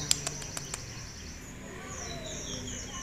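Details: A captive sunbird singing with mimicked notes of another bird gives four sharp, high ticking notes in quick succession, then thin, high twittering phrases over a steady background hiss.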